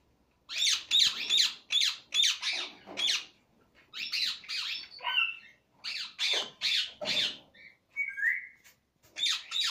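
A rose-ringed parakeet gives harsh, screechy squawks in quick irregular bursts, about two or three a second, with a few higher whistled notes between them.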